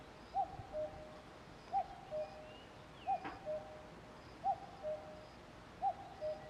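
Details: Two-note cuckoo call from a common cuckoo, a higher hoot dropping to a lower one, repeated five times in a regular rhythm, with a brief sharp click midway and faint high bird notes in the background.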